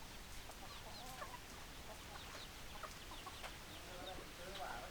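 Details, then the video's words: Domestic hens clucking: scattered short, clipped clucks and soft squawks come from several birds at irregular intervals through the clip, with a faint murmur of voices in the background. "Chicken Sounds Noises Hens Clucking Roosters Crowing"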